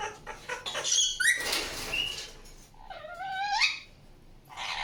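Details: Softer Indian ringneck parakeet sounds: rustling and faint chatter, a squeaky note, then a clear rising, harmonic call, ending in a noisy burst.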